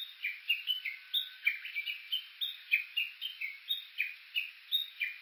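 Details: Japanese bush warbler on Suo-Oshima island, Japan, at Kuka below Mt. Yakushi, captured with an Olympus Voice-Trek V-82 on a walk: steady repeated short sliding notes, roughly three per second, bright and slightly descending.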